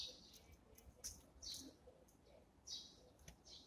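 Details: Eurasian tree sparrows feeding in the morning utter short, high, clipped chirps in little runs, a few louder notes standing out over a quiet, soft background.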